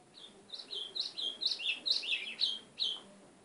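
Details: White-throated seedeater in sustained song, roughly ten sharp, high chirps tumbling together irregularly over three seconds, some notes overlapping into a jumbled twitter.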